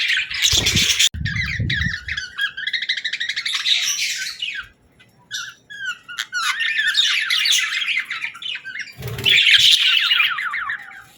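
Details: Happy pet budgerigar chirping cheerfully: bursts of quick, rippling, buzzy warbles separated by short pauses, with a few loud knocks and a near-silent stretch in the middle.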